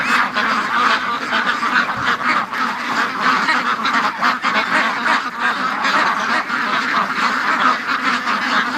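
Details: Free-range ducks in their morning rush, a dense chorus of overlapping quacks and honking calls from many birds at once, continuous and loud throughout without pause.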